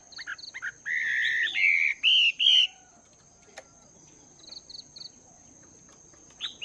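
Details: Chinese hwamei in a cage for two months, training its voice in the morning: a rough warbling phrase and two loud whistles, then quiet with brief high chips and a constant high whine.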